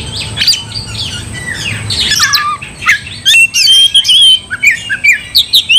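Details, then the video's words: Oriental magpie-robin song intended to provoke a rival: quiet start, then loud rapid whistles, sweeping slurred notes and harsh chips in short bursts from the third second, with faint low background noise. "Kacer gacor bikin kacer ngamuk"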